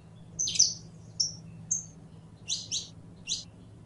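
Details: Saffron finch song: a few thin whistled notes, then three sharp doubled chirps, high-pitched and spaced about half a second apart, over a soft background hum.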